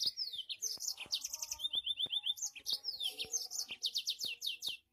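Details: Yellow-fronted canary (mozambik) in a strong, fierce song: fast varied phrases of high descending whistled notes, rapid buzzy trills and repeated note series, loud and clear with little background sound.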